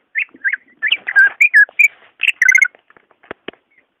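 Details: Greater green leafbird singing, shared as a prompt for a caged leafbird slow to sing: varied whistled phrases, some rising and some falling slurs, followed by a few soft clicks.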